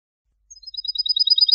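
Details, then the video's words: European goldfinch song for tutoring young goldfinches and hybrids: a quick run of high, tinkling twitters and chirps, building in loudness and pace over about a second. "تعاوق و تزاوق لتسميع و تلقين فراخ الحسون"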